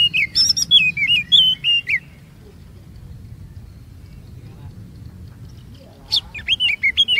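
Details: Oriental magpie-robin song used to prompt others into long phrases: two seconds of whistled, warbling notes, a quiet gap of about four seconds, then another short burst of whistles and clicks.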